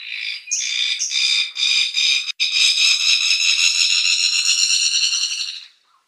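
Fire-tufted barbet giving a loud, buzzy, insect-like rattle that runs for about five seconds after a few short opening notes.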